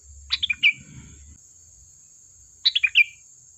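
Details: Sooty-headed bulbul song for luring other birds into answering: two crisp phrases of four chirpy notes dropping in pitch, a brief low rumble under the first, and a thin steady whine throughout.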